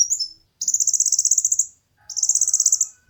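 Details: Two bright, rapid high-pitched trills from a konin, each about a second long, preceded by a short slurred note; material for tutoring and luring competition birds, with a faint steady tone in the background.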